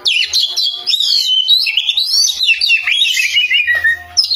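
An Oriental magpie-robin sings loudly and without pause: a rich, varied stream of sweet whistles, slurred notes and quick trills, with no other sounds.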